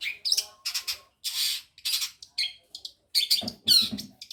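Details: Madura long-tailed shrike mimicking other birds, including finch and canary phrases: a varied run of harsh chattering notes, short whistles and buzzy bursts, with a lower rasping passage near the end.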